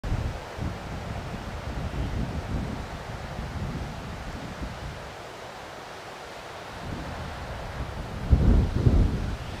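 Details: Steady low wind and surf-like rumble, swelling into a louder gust near the end, with no animal voices.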